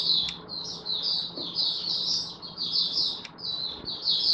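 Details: Oriental white-eye kept as a hobby songbird, recorded on 24 February 2023 in a song display: a continuous, softer stream of high, thin twittering notes with a faint low background hum.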